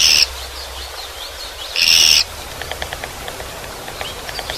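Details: Japanese pygmy woodpecker, Yeoncheon, South Korea: a buzzy rasping call at the start and another about 1.5 seconds later, then faint rapid ticking and light chirps.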